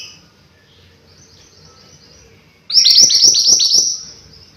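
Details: Thin, faint high notes drift in the background before a mountain white-eye delivers a sudden loud flurry of rapid, descending whistled notes, about seven in quick succession.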